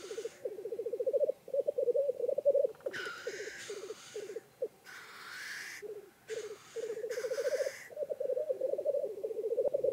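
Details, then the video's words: Several male Black Grouse lekking on a mire in Swedish woods on an early spring morning, keeping up a low, dove-like bubbling rookoo that rolls on without pause, broken by harsh, rushing hissing sneezes every second or two. "Black Grouse Lek"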